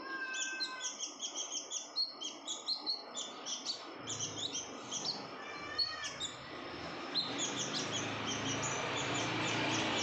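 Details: Red-whiskered bulbul female in breeding condition giving a rapid series of short, high chirps about every third of a second for four seconds, then scattered notes over a rising background hiss.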